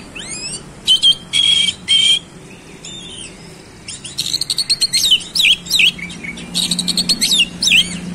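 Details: Oriental magpie-robin in energetic fast-rolling song, showing its fillers: three long buzzy harsh notes with a whistled core, a short pause, then a quick stream of clipped notes and twisting whistles, about two per second.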